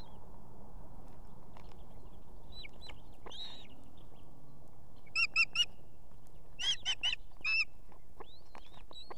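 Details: Female osprey calling for the male to bring food to a nest with two chicks in Estonia on an evening. After quiet whistled slurs, she gives two clusters of loud, ringing, repeated notes about a second apart, over low hum.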